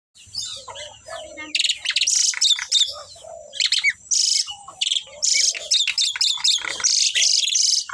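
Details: A pair of Asian pied starlings, kept birds described as very vocal, sing a dense medley of harsh rasping bursts and bright high chattering notes from about one and a half seconds on, with softer lower warbles between.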